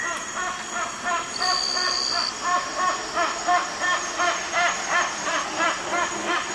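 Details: Blyth's Hornbill flying overhead at Batanta: loud, rhythmic whooshing wingbeats, nearly three per second, with a brief high thin flight call near the start.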